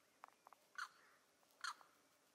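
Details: Neotropic cormorant uttering two loud, harsh croaking notes, preceded and followed by a few soft, short clicking notes.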